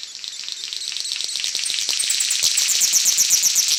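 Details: King-of-Saxony bird-of-paradise of New Guinea giving its strange hissing, static-like song, a high sizzling buzz broken into rapid pulses about four per second, growing louder. No other sounds.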